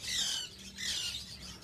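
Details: Budgerigars in a breeding colony: two loud, scratchy warbling phrases, each about half a second long, over a soft low hum.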